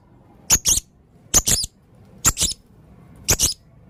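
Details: A male blue-crowned hanging parrot in full song gives paired shrill, high-pitched notes. Each quick double note comes roughly once a second, with quiet gaps between.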